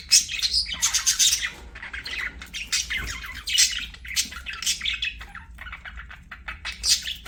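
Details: Pet budgies sing during play with a dense, nearly unbroken stream of rasping, high-pitched chatter and squeaky warbles rising and falling in loudness, with brief pauses.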